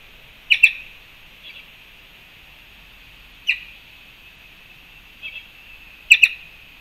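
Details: Black-chested jays visiting a fruit feeder in Panama, March 2, 2021: scattered sharp doubled notes and single calls every few seconds, with soft chatter between, over a continuous high drone.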